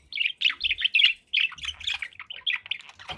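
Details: Pet budgerigars kept indoors calling: a busy run of short, bright chirps and warbled notes, closely spaced and irregular, with brief quiet gaps between bursts.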